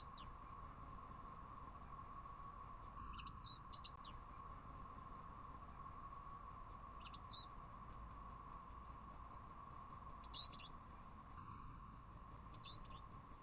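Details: White wagtail at the start of nesting season in April, at a north balcony where the pair nested last year, checking an outdoor unit as a nest site: sharp, high chirping calls in brief scattered bursts over a steady mechanical hum.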